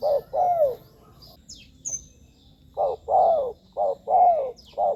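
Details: Spotted dove cooing for luring wild doves to decoys on the ground, on branches or in a trap-cage; hollow low coos, one longer downward-curving, then a quicker run of four or five coos, with brief high bird chirps behind.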